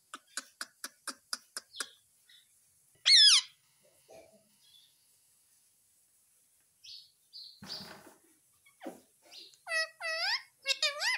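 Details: Pet Indian ringneck parakeet saying "mummy" nonstop: a quick series of clicks, then a loud harsh squawk and scattered sounds, ending in clear, two-part spoken-like notes repeated several times.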